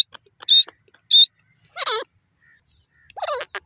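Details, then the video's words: Grey francolin giving a few sharp, buzzy high notes, followed by two drawn-out, wavering descending squeals with rich harmonics, separated by short silences. "grey francolin ki piyare awaz,teeter birds sound"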